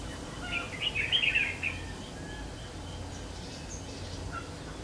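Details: Red-whiskered bulbul used in trapping, a 'Má Lỡ' bird near the end of its moult, 3 September 2019: one quick chattering, bubbly phrase of rapid notes lasting about a second, then fainter notes over low steady background noise.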